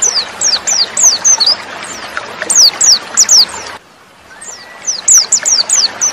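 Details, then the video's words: A female white-eye sings a very high, thin twitter of quick falling slurred notes, several per second, with a brief break midway and soft hiss; the sound is used to provoke silent or lazy males into singing. "TERAPI PLECI BIKIN CEPAT NGALAS DAN BUKA PARUH"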